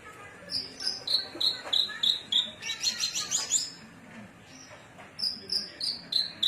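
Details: Javan bush lark of Cilacap stock singing cing ciu: repeated high down-slurred whistles, a quick chattering burst, a short pause, then more falling whistles.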